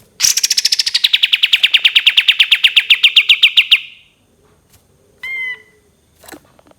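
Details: Cream-vented bulbul, locally called kapas tembak, giving its long 'tembakan' burst: a fast run of about thirty sharp, evenly spaced notes that start high, drop, then hold steady for over three seconds, followed by a short whistled note and a click.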